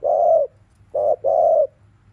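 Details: Afternoon cooing of a kept spotted dove: three low, soft hooted notes, a long one, a short one and a longer drawn one, over a faint low hum.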